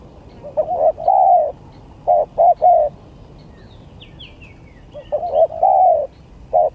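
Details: Spotted dove contest song: stuttering low coos building to a longer mellow note, repeated in three groups, with a faint thin chirping from another bird in the middle.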